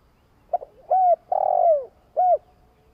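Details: Spotted dove's long coo used to excite other doves: two soft clipped notes, a rounded coo, a long rough purring note falling away at the end, then a final short coo.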